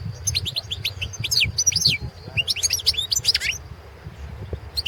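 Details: European goldfinch (Carduelis carduelis balcanica) singing in a 2017 world championship song competition: continuous lively stream of high, fast, twittering and down-slurred notes, tumbling without pause across most of the recording.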